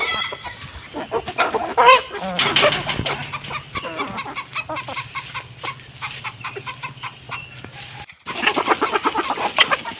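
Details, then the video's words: Chicken clucking while eating, with a few harmonic clucks early on, then many rapid pecking clicks, a low steady hum and a brief dropout. "Hen sound effect ❤️💕🐥🐔|hen eating food"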